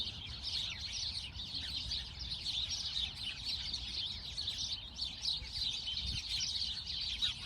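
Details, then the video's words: A chorus of sparrows gives rapid, overlapping bright chirps throughout, forming a constant twittering wash over faint low-pitched background noise. "Relaxing sparrow sound"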